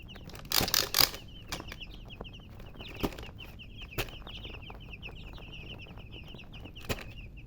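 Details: Baby chickens peep continuously in quick, high, slightly downslurred notes, with a burst of loud rustling and knocks near the start and a few sharp taps later.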